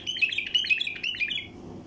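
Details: Chattering wild bulbul phrase, used to pull in flocks of bulbuls, made of quick, bright warbled notes for about one and a half seconds before fading into a soft hum.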